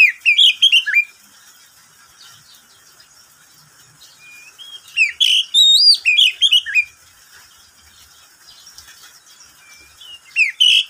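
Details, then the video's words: Pet oriental magpie-robin singing at midday: two bursts of rich, varied whistled phrases with slurred rising and falling notes, separated by a long quiet gap, another phrase beginning at the end. "Suara burung Kacer di siang hari"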